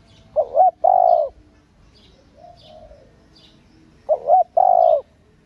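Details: Female spotted dove calling to stimulate male doves: two full phrases about 3.7 seconds apart, each a wavering double note then a long steady coo, with soft distant coos and high chirps between.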